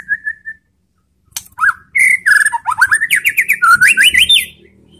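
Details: White-rumped shama lure song: a brief soft whistle, a pause, then a loud, fast cascade of varied warbles and rapidly repeated rising slurred notes, about three per second.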